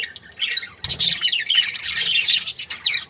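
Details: Happy pair of breeding Australian budgies giving a short, busy burst of squeaky, scratchy warbling and high chirps, rising in intensity toward the middle.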